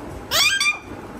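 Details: Parrot giving one loud harmonic call, lasting about half a second, rising then sliding down with a meow-like quality. A faint room hum sits beneath.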